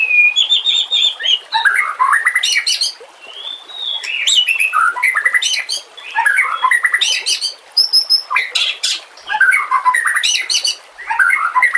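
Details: Training song of a white-rumped shama over nature sounds and gurgling water: dense run of varied whistles, rising slurs and sharp high chirps, delivered in loud bursts separated by brief quieter gaps.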